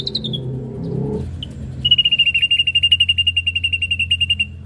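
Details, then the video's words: Ashy drongo: a few thin, falling high notes over a low rumble, then a fast, even trill of sharp beeping notes, about ten per second for nearly three seconds. "srigunting abu abu gacor"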